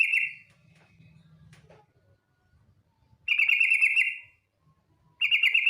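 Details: Female yellow-vented bulbul calling for a male: rapid buzzy trills, one lasting about a second, then another starting near the end, with a soft low hum and a few faint clicks between.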